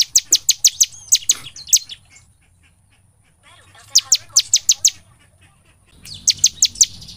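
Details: Lure song of the ciblek (bar-winged prinia), gacor nembak style: three tight bursts of quick, high, clipped notes, about six notes each, separated by pauses of near silence.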